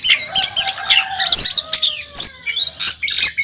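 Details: Contest Oriental magpie-robin, national champion, singing aggressively with imitations: rich high whistles and chirps over lower steady tones from other birds, rapid bursts throughout.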